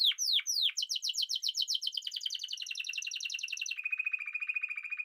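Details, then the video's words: Spanish timbrado canary giving quick sweeping notes that run into a dense, fast rolling trill, shifting after about three and a half seconds into a lower, steady continuous roll. "Timbrado تغريد جميل الكناري تيمرادو الإسباني"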